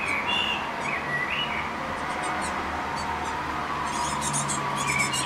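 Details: Tit fledglings just out of the nest in May (19 May), exploring and hungry between flights, give thin, high chirps in quick bursts, with a few short mid-pitched whistled notes, over a steady background hiss.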